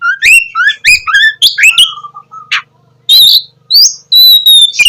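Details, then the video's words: Oriental magpie-robin in full song, played to get sluggish magpie-robins singing at morning; rising and falling whistled phrases, a short buzzy note, then a pause and long pure high whistles, with faint low background hum. "KACER GACOR cocok buat pancingan kacer malas bunyi dipagi hari"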